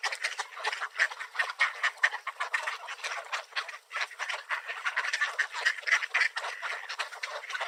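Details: A swarm of Mallards too many to count, in a park feeding frenzy over scattered bird seed while Canada Geese push into the crowd; dense, continuous overlapping quacks and raspy chatter from many ducks at once.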